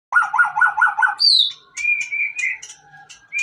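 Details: White-rumped shama song used to provoke other shamas into singing: a rapid rattling phrase of repeated notes, then a high whistled slur, followed by varied, spaced whistled notes and brief chips.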